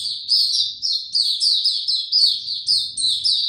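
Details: Singing white-eye recorded on 29 April 2022 without health supplements: steady, rapid, high-pitched chirping notes strung together in a lively twittering stream, with each note slurring slightly downward.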